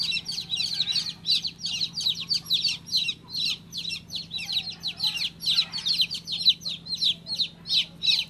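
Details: Baby chick chirping in rapid, high-pitched peeps that slide downward, overlapping in a dense continuous stream with short pulsing bursts throughout.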